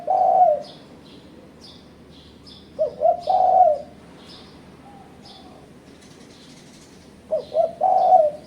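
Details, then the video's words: Spotted dove call for luring and pressuring rival birds: soft low coos in a short-short-long pattern, heard three times, with scattered high-pitched chirps from other birds. "Suara Burung Terkuku Menekan Lawan Ampuh untuk Pancingan"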